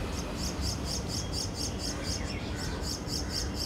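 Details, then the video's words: Common Myna juvenile begging for food, mouth wide open, at its nest between a wall and a decorative grill in a Delhi residential complex; a steady series of short high chirps runs throughout over a low background rumble. "Common Myna nest and feeding juvenile"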